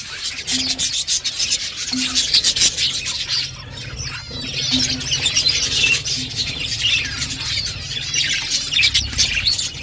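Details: Budgerigars, a mother feeding chicks: rapid bursts of harsh, buzzy chirps and squawks in clustered pulses, nearly continuous, with a low steady hum and a brief quieter gap midway.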